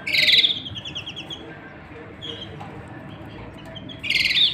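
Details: Canary pair with chicks in the nest while the male courts the female. A short, bright burst of chirpy song opens and closes the recording, with quiet low hum in between.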